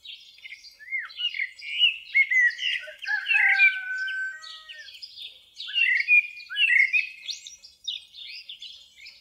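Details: Common blackbird singing in two long, busy bursts of warbled and twittering phrases, mixing lower fluty whistled notes with many rapid high squeaky elements, separated by a brief pause near the middle; no other clear sounds.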